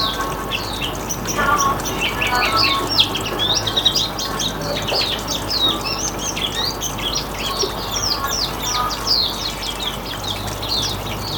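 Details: Riwikan-style song of Hume's white-eye, meant to draw in other birds: dense, fast high twittering with short sweeping chirps running continuously, a faint low background hum beneath.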